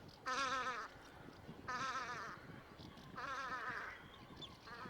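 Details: Velvet scoter recorded in Liepāja, Latvia, March 2024, giving three loud, buzzy, quavering calls about every one and a half seconds, with a softer fourth call starting at the end and faint steady noise behind.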